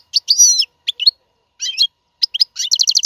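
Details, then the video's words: Goldfinch song for teaching caged young birds: high twittering phrases with a drawn-out wavering note, scattered chirps, and a closing rapid burst of repeated bright notes. "اقوى تغريد الحسون. لتعليم فراخ القفص"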